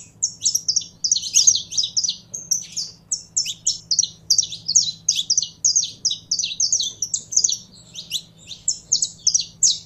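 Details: Kept saffron finch getting fired up, pouring out a long, rhythmic run of high, clipped chirps, several a second, steady for nearly ten seconds over a faint low hum.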